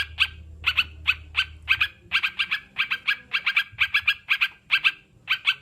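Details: Sooty-headed bulbul, a kept bird, chattering steadily in quick bursts of two or three sharp, bright notes, repeated throughout with short gaps, over a low background hum.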